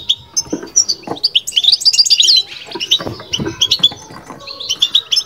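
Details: Caged European goldfinch in full bitbita song: dense, bubbling twitter with rising and falling whistled slurs building to a rich warbled phrase, plus occasional low bumps.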